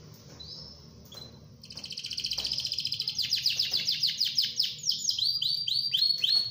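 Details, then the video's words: Rolling ngerol song of a canary used as teaching material for other canaries: a short whistle, a long pulsing trill that speeds up, then rapid falling sweep notes repeated quickly. "KENARI GACOR NGEROL BAGUS UNTUK MASTERAN KENARI"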